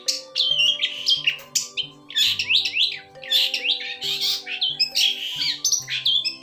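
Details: Pentet, the long-tailed shrike, singing continuously: harsh squawky notes mixed with quick chirps and slurred whistles in dense bursts, over quiet instrumental music.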